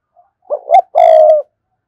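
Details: Single phrase from a spotted dove cooing to lure a rival bird: two short rising notes, then one drawn-out level coo that fades at the end. No other sounds are heard.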